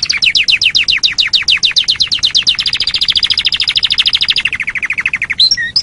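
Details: Canary song from a training recording for songbirds: fast, even trills of sharp high chirps, about ten per second, shifting from downslurred notes to a higher steady series, then a lower run, ending in brief twittering.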